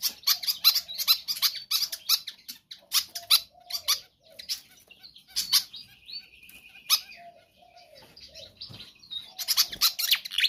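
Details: Pied fantail singing vigorously, used to coax other birds into song: fast squeaky chirp bursts alternating with quieter gaps, a steady mid-pitched trill in the middle and low slurred whistles.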